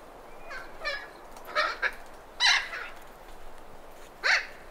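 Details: Thick-billed parrots in Arizona giving alarm and contact calls: harsh, raspy squawks spaced irregularly about once a second, with background wind noise.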